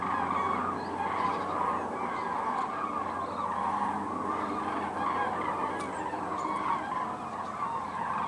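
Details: Migrating common cranes: many birds calling at once, so rolling, trumpeting honks overlap into an unbroken chorus that swells and dips slightly in loudness. A low, constant hum runs beneath.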